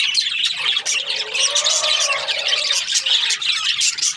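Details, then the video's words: Australian budgies chirping in a dense, continuous high chatter of overlapping squeaky warbles and chirps, loud and unbroken throughout. "Australian budgies chirping sound"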